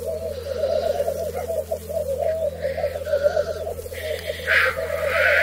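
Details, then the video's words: Black grouse cocks on their lek arena during the 2023 mating season: an unbroken, throbbing, bubbling rookoo fills the clip, with a steady low drone underneath and occasional short hissing sneezes standing out above. "Galli forcelli sulle arene di canto"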